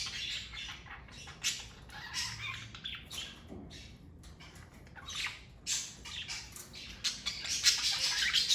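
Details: Rapid, uneven high squeaks and chirps from a pet parakeet family grow busier and louder toward the end, with a quieter stretch in the middle.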